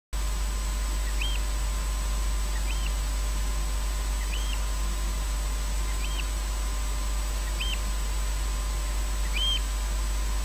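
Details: A Eurasian oystercatcher calls nearby after midnight at Loch Garten, Scotland, giving six short, high piping 'kleep' notes, about one every one and a half seconds, over a low background rumble.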